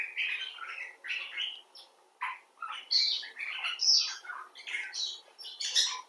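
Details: Common bulbul talking, from a mix of rescued and wild birds: irregular clusters of harsh chirps and higher squeaky whistles, about one phrase a second, with a short pause midway.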